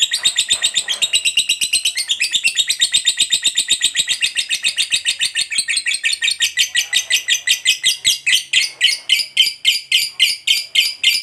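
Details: Fighter lovebird giving extended ngekek chatter as a lure for other lovebirds to sing: rapid, ringing high trill, continuous for over eleven seconds, notes becoming more distinct and spaced toward the end.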